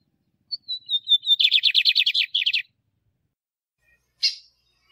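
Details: Male lined seedeater song for stimulating caged birds: a descending run of soft whistled notes speeding into a dense buzzy trill, then silence and a single sharp chip.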